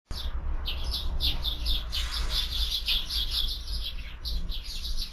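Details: Sparrows at a feeder during an afternoon snack, caught on a bird camera: dense, continuous chatter of short chirps around 3-5k, overlapping from several birds, with steady low rumble underneath.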